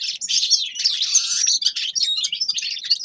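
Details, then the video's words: Continuous high twittering from a grey-crowned goldfinch, a rapid jumble of chirps, buzzes and sweet slurred whistles with no real gaps, delivered loud and close. "Седоголовый щегол Carduelis caniceps певчая птица طائر الاغنية"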